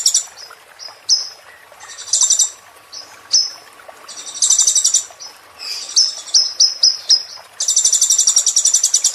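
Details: ['Sunbird song played as a training recording for caged birds: high thin chips and whistled slurs mixed with bursts of fast, buzzy, rattling trills, ending in a long rapid trill.']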